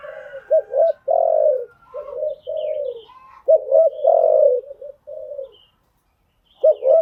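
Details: Spotted dove cooing, a decoy call used to train newly caught birds: short double notes followed by longer falling coos around 500–700, repeated in phrases with brief gaps; faint higher chirps from other birds behind.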